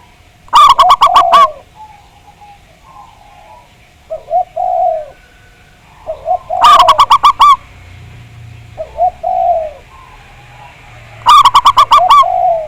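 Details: Local Javanese zebra dove song, played as a lure to prompt other doves to sing, described as a big voice: three bursts of rapid, ringing staccato notes, each followed by softer, lower, drawn-out coos, with quiet gaps between.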